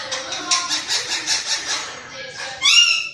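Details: A green parrot kept as a pet imitates human talk in a rapid run of clipped syllables. It ends with a louder, higher, nasal squawk.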